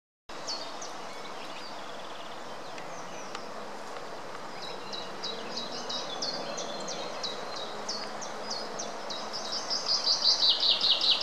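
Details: Greylag goose (Anser anser) goslings feeding at Munich Botanical Garden give thin, high, downslurred peeps, repeated rapidly and growing louder and denser toward the end, over a steady background hiss.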